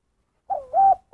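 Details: Spotted dove giving the 'kuk satu' style call: a mellow hooting coo that dips slightly, followed by a longer, steady level coo and the start of another note.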